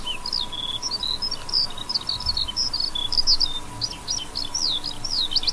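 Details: Eurasian skylark heard near a wheat field, pouring out a fast, jumbled warble of high chirps, buzzy trills and swooping slurred notes without pause, over a faint background hum.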